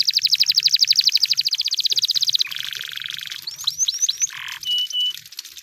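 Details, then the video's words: Wild canary song opening with a rapid, pulsing high trill for over two seconds, dropping to a lower even roll, then a few rising swept whistles, a short rough burst and a sustained thin whistle. "The Sound of Canaries in The Wild!"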